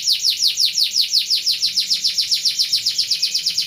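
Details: Canary singing a rolling 'ngeroll' song used as a tutor recording for training other birds: fast, even trill of high, downward-sweeping notes repeated about seven times per second, steady throughout.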